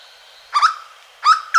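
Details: Hooded Berryeater (corocoxó) singing at Caparaó National Park, Alto Caparaó: a loud, hoarse two-note phrase with a rising, harmonic-rich syllable followed by a second note, then the next phrase begins about half a second later.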